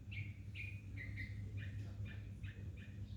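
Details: Bulbul giving brief whistled notes, some slurred downward, repeated about twice a second over a constant low hum.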